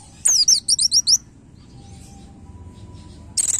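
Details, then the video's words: Short burst of a white-eye (pleci) 'nembak' master song for cage-bird training: five or six very high, quick descending chirps, then near silence with a faint steady tone, and another high burst at the end. "MASTERAN PLECI NEMBAK MUDAH DI DIINGAT"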